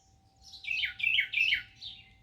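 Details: Carolina wren on a patio, where a pair nests in a plant and sings all day, gives loud rich phrases of falling slurred notes, three in quick succession and a fourth begun, over a faint hum.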